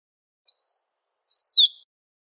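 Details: In nature, a great pampa finch sings a single phrase: a short rising whistle, a tiny high note, and a long bright whistle gliding down in pitch; clean background.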